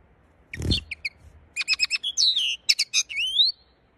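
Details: Linnet delivering a dense, rapid twittering phrase of clipped chirps and short buzzy trills, closing with a rising whistled slur; a low thump is heard just before the song.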